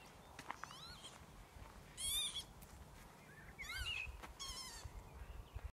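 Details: Northern lapwings in the Cheshire countryside at Lower Withington give about four wheezy, slurred 'pee-wit' calls over six seconds, each bending up then down, with a low rumble of wind beneath.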